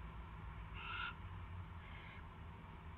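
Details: One short, rasping screech from an owl during a rat delivery at 7:05 PM on March 2, 2016, followed by a fainter second hiss, with low rumbling hum underneath.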